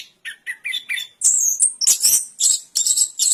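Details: Orange-headed thrush song opening with a few lower whistled notes, then switching to loud, very high-pitched, rasping and whistled phrases strung closely together.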